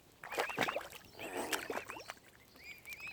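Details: Young mute swan cygnets on Lough Neagh at Oxford Island Nature Reserve, Ireland: thin rising-and-falling peeps mixed with splashing and water sounds, then a quick run of peeps at the end.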